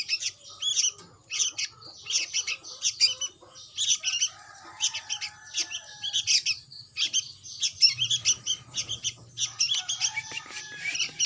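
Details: Young sooty-headed bulbul chick: harsh, raspy high chirps in quick bursts, repeated roughly every half second, with short pauses and faint lower tonal sounds in the background.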